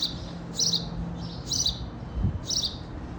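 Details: Sparrow giving short, bright chirps about once a second, three clear notes in a row over a steady low rumble of background noise.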